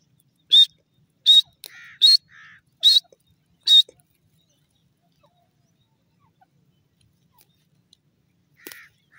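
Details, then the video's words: Kashmiri teetar, a francolin, gives five sharp, loud, clear notes spaced under a second apart, with softer lower notes between some of them. A long silence follows, then two more brief notes near the end. "beautifull kashmiri teetar voice"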